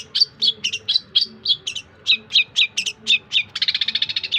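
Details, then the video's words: Long-tailed shrike singing tutor material for songbirds: a rapid string of bright, slurred chirps about four per second, ending in a fast buzzy trill, with a faint low hum behind. "Cendet masteran full materi voll++ cocok utuk masteran semua burung bekicau"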